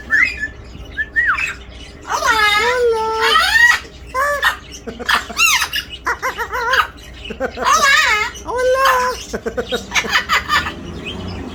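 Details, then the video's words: Pet talking parrot producing a rapid string of voice-like syllables mixed with harsh squawks and rising whistles, bursts separated by brief pauses, in a quiet indoor setting. "The talking parrot."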